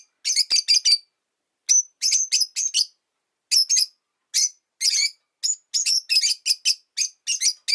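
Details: Rosy-faced lovebird, one of five kept in a cage by a window in winter, giving sharp, shrill chirps in quick bursts of two to five with short pauses between groups.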